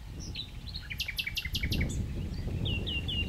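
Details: Common nightingale delivers a short series of five loud, broad repeated notes, then three clear rising whistles, against a dense low background rumble.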